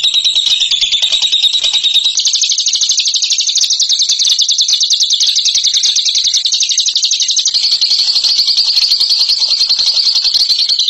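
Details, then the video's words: Champion ngekek bird delivering an unbroken, rapid, shrill trill for the whole eleven seconds. The pitch steps up slightly after two seconds and stays steady, with no pause. "INI DIA JAGONYA NGEKEK"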